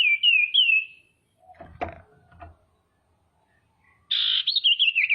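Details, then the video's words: A female common iora calls to rouse rival birds: looping whistled notes, then quiet knocks, then a rasping burst that flows into a fast, wavering, downward trill. "SIRTU BETINA GACOR PANCINGAN PALING AMPUH BIKIN CEPAT BUNYI DAN EMOSI SIRTU LAIN"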